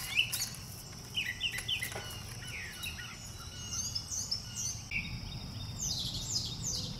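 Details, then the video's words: A brown thrasher sings a string of varied, high chirping and slurred phrases in quick bursts, over a steady low background rumble. "a brown thrasher singing"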